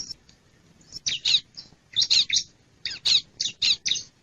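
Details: Bar-winged prinia lure recording for drawing in wild birds: loud, harsh, rasping chip notes in pairs and short clusters, roughly three groups in four seconds, over quiet background.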